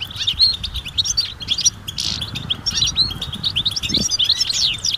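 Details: Group of European goldfinches giving mating and readiness calls to prompt male song: rapid overlapping twitters, tinkling whistles and a buzzy burst, low rumble underneath.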